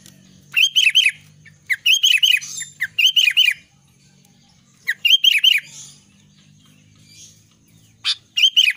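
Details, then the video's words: Albino sooty-headed bulbul singing vigorously: repeated bursts of rich, bubbly, looping whistled notes, each about a second long, given in quick series with short pauses, plus one sharp chip before the final phrase. "kutilang albino gacor"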